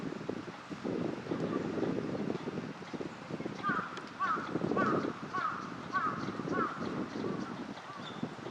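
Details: Northern shoveler ducks at a park pond, Junsai-ike green area, Chiba, Japan, wintering in February 2026; a run of short, nasal, downslurred calls repeated about twice a second, over low murmuring background noise.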